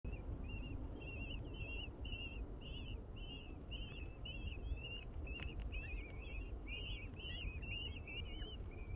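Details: {'caption': 'Common kestrels at an urban nest in a ninth-floor planter box on a building in Aguadulce, Almería. The female brings a swift as prey and feeds the chicks. Short, squeaky, rising calls repeat steadily over a low rumbling background.'}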